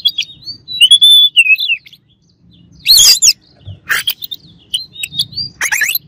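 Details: Rival-provoking song of an Oriental magpie-robin: a smooth wavering whistle at the start, then harsh noisy bursts, brief sweeping notes and a final loud rasping phrase, with gaps between.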